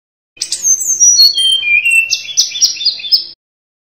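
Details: Sunda robin in gacor song form, tutor material for caged birds. A continuous three-second phrase of high whistles dropping in steps, then a quick repeated series of sharp, high, clipped notes.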